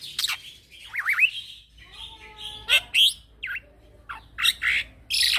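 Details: Song of a young male black-winged myna meant for tutoring other birds: looping whistled slurs, a thin harmonic note, then loud harsh bursts and buzzy squawks.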